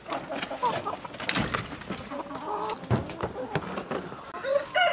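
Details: Countryside chickens murmuring and clucking in an irregular flock chorus, with sharp thuds and rustles, and a few higher squeaky notes near the end.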